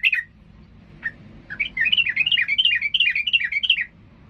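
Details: Sooty-headed bulbul singing excitedly, in a song meant to enrage rival birds into fighting. Brief opening chirps lead into a lively stream of quick, bouncing warbled notes lasting about two seconds, with a faint low hum beneath.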